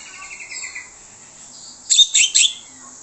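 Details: Orange-headed thrush song as a lure to get other birds answering: a soft, evenly pulsed trill, a quiet pause, then three loud, sharp, high chirps in quick succession.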